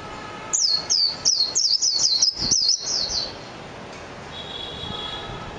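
Japanese white-eye gives a rapid, very high twittering run of about ten quick slurred notes over three seconds, then a faint thin whistle.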